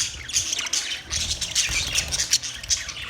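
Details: Short, bright squawks and chirps from budgies repeat about two or three times a second over a constant high, hissing chatter.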